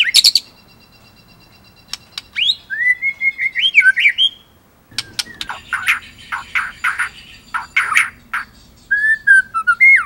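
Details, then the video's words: White-rumped shama singing a varied training song with rolling and burst phrases: sharp clicks, rising whistled slurs, and clusters of loud chattering notes separated by short pauses, in a quiet setting. "Masteran Murai Gacor !! Materi Komplit Ngerol Nembak | Shama Bird Song"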